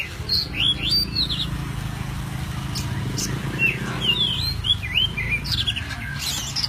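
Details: Oriental magpie-robin, white-breasted kacer poci form, singing an isian alasan forest-style fill used as a master for training songbirds: bright whistled notes slurring up and down in short bursts, with a steady low rumble beneath.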